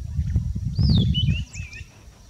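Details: Red-backed scrub robin, singing variably in different areas: a single high whistled phrase falling then curling upward in short notes, with low rumbling background noise at the start.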